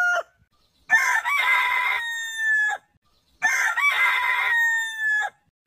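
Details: Heritage-breed rooster crowing in a compilation of roosters: two full crows about two and a half seconds apart, each a loud harsh opening followed by a long, steady, gently falling tone that cuts off cleanly.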